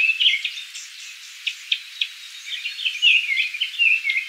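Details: Japanese thrush song from Kiyokawa village, Japan: scattered short chirps, then a lively run of clear rising and falling whistles at the end, against faint background hiss.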